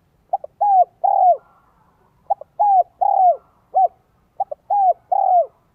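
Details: Spotted dove coo in the Vietnamese 'giọng son 1 cốt lỡ' style, used to lure wild doves. Three evenly spaced phrases, each a quick double pip followed by two drawn-out, downward-curving coos, against near silence.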